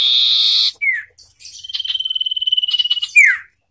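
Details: Song battle of common ioras, a wild forest bird and a hand-reared one: a loud buzzy rasp, a falling slurred note, then a long pulsing whistled trill ending in another down-slur.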